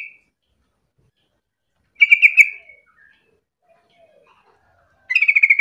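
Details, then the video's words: Yellow-vented bulbul in energetic song, used to prompt other bulbuls to call back: two bursts of bubbly, gurgling chatter separated by nearly three seconds of near silence. "pancingan trucuk gacor biar trucukan lain ikutan bunyi"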